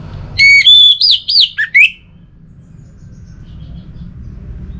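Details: Single Orange-headed thrush phrase: a steady pure whistle, then a short run of arched, bouncing notes ending in a lower slur, followed by quiet background hum.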